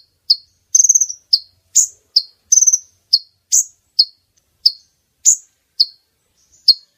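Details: Female brown-throated sunbird calling, used to lure males toward a net. High thin chips alternate with brief fluttering trills in a quick, slightly irregular series, with quiet between notes.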